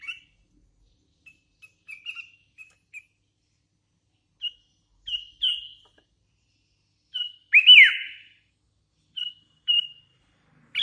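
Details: Sooty-headed bulbul, young and hand-raised, giving soft scattered whistled notes and one louder rising-and-falling slurred whistle, mostly quiet between notes.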